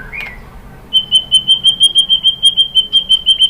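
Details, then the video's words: White-rumped shama song used as a lure to make other birds answer: a brief rising note, then a steady series of clear whistled notes on one pitch, about three per second, over a low steady hum. "KICAUAN MURAI BATU bikin NYAUT ikut BUNYI GACOR NGEPLONG BONGKAR ISIAN ¦ PANCINGAN MURAI"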